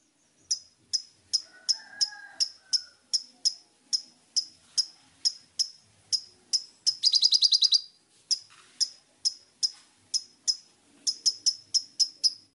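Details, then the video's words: Sunbird song recorded as filler song for training lovebirds: sharp high ticking notes repeated about twice a second, a brief buzzy rapid trill midway, then the ticks resume and quicken at the end. "KOLIBRI NINJA ISIAN LOVEBIRD"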